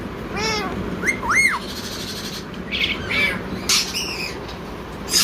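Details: Blue talking parrot calling "Mithu Mithu": a descending harmonic note, then two sharp arched whistles close together, followed by scratchy talk-like notes and a high squawk, over steady background hiss.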